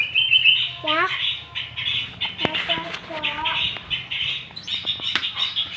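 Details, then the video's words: Young long-tailed shrike learning to sing: continuous soft scratchy chatter broken by a few short, nasal falling whines and sharp clicking taps, with faint low background hum. "burung cendetbmuda belajar bunyi"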